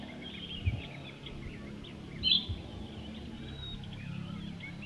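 An Italian sparrow gives one brief, bright chirp midway, with fainter chirps scattered around it over a low rumbling background.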